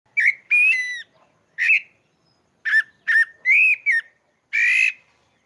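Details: Pale-breasted thrush, sabiá-pardo or sabiá-barranco, from Maranhão, Brazil, singing a natural song: clear whistled phrases near one pitch, some rising or wavering, given in irregular bursts with short pauses between.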